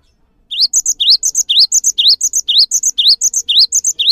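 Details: Energetic cinereous tit song meant to spur other birds to join in: rising swept note followed by paired high piping whistles, the phrase repeated steadily about twice a second, with a faint steady hum underneath.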